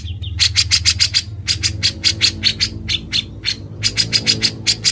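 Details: Grey-cheeked bulbul singing in the harsh ngebren style: loud, rasping bursts repeated in quick, uneven runs over a low background hum.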